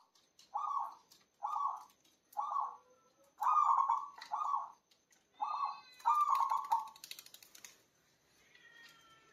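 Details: Local zebra dove (perkutut) singing, a loud voice used as a lure for bird trapping. Low, rolling, purring coos repeat roughly once a second in about seven bursts, then a longer trilled phrase. Faint clicks follow as the song fades.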